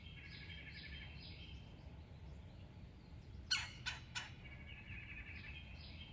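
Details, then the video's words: Small woodpecker with a red head at backyard suet feeders in Alabama, scolding a cat, basenji dogs and a person on the patio; a quick burst of three harsh squawks midway, amid buzzy trills from other birds before and after. "Alabama Woodpecker (in my backyard) Tells My Cat, My Basenjis & Me to Go Away"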